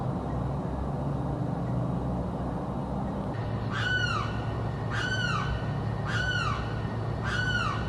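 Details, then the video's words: Bird screaming constantly day and night in South Florida; after three seconds of low hum, four strong descending screams ring out roughly once a second, each a sharp downward-curving cry. "screaming bird encounter in South Florida"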